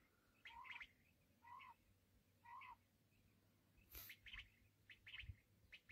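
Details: Black francolin gives three spaced calls, each with a clear rising lower note under rasping higher notes, followed by a busier burst of sharper notes and a brief click, against a faint hiss.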